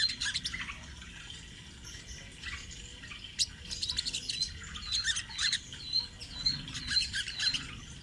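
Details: Sunbird giving an energetic rolling song, used as a master recording for training birds; high, thin chirps and twitters come in uneven bursts, quieter at first and then building in the second half.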